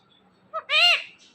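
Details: Pet ringneck parrot talking: a short harmonic syllable followed by a longer, slightly rising and falling voiced word, speech-like and nasal, in a quiet room.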